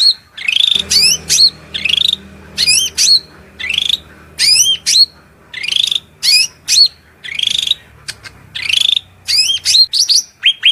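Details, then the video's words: Shrill cucak rante song of sweeping whistled notes and buzzy bursts over a low steady background hum throughout. "MASTERAN SUARA MELENGKING CUCAK RANTE GACOR"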